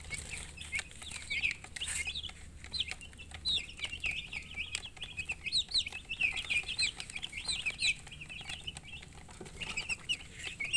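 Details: Many baby chickens chirping at length, a busy chorus of high sliding peeps that grows denser midway, with scattered clicks and taps in the background.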